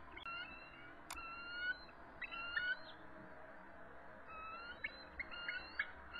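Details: Eagles calling from the nest at 7:44 pm on March 23, 2014, stressed and in full defensive posture during a territorial dispute as an adult intruder arrives; short high whistled notes, some in quick stuttering series, over steady background noise.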